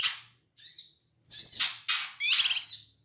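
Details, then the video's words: Male Ashy tailorbird from Sumatra giving loud, noisy calls used to provoke other birds: short high chirps and a buzzy, rattling trill in separate bursts over three seconds, with no other sounds. "suara cucak kinoi ribut AMPUH memancing emosi semua burung"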